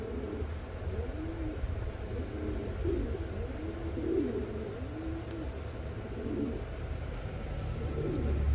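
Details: Reversewing Pouter pigeons, a yellow pair in the Philippines, give a run of low rolling coos, partly buried under a heavy rumbling background like passing traffic.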